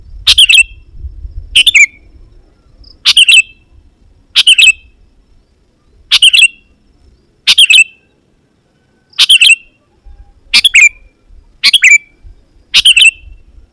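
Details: Persistently singing Sooty-headed Bulbul calling rivals so wild bulbuls answer and approach: short bubbly, chirpy phrases with a quick falling tail, about ten phrases roughly every 1.4 seconds, separated by silence; a low rumble sits under the opening seconds.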